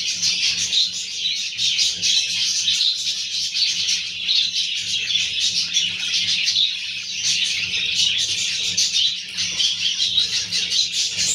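Young budgerigars keep up a dense, continuous chatter of high, scratchy chirps and twitters, with a faint low hum beneath.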